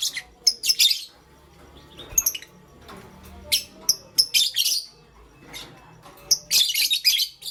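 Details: A pastel gray lovebird chirps in the morning, giving repeated bursts of harsh, buzzy high chirps with short pauses between them throughout.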